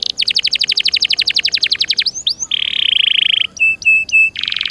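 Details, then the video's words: Canary (Serinus canaria) in loud, nonstop 'gacor dor nembak' style, played to prompt a silent canary to sing: a rapid trill of repeated notes, quick swept slurs, a dense buzzy roll, three short level whistles, then another buzzy roll. "Suara Burung Kenari Gacor Dor Nembak Untuk Pancingan"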